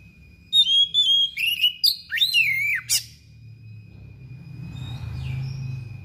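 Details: Insistent song of a thick-billed oriental magpie-robin laying out its fill-in phrases: crisp whistles, clicks and looping swoops packed into about two and a half seconds, then near silence with low hum.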